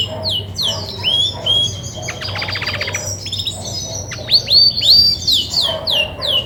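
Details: Female Belgian canary, grey and white, ready-to-brood singer, moves from high falling whistles to a buzzy rattling stretch, then a fast series of loud rising-falling notes and sharp chirps over a faint hum.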